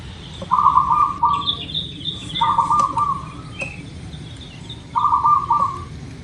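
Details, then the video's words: Zebra dove of the local type, its song played as a lure to prompt birds to sing: three short, rapid staccato cooing phrases spaced about two seconds apart, with thin high chirps from other birds between them. "Suara Perkutut Lokal"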